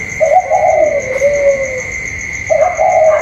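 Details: Spotted dove, a caged bird calling in a contest with a wild bird outside, recorded 27 October 2022; low mellow cooing phrase slurring downward and fading, then a second coo phrase begins, over a steady high electronic whine.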